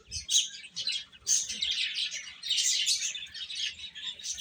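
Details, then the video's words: Chicks feeding: a steady wash of piercing, high-pitched cheeps from many birds at once, swelling and fading in short waves. "Cute Chicks Chirping Sounds | Little Baby Chicken Eating"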